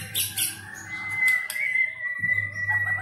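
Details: White-rumped shama of the Medan type with a luxurious borrowed repertoire of cililin, canary and lovebird sounds: a long, level, pure whistle held for seconds, broken by sharp high clicks, with a steady low hum throughout.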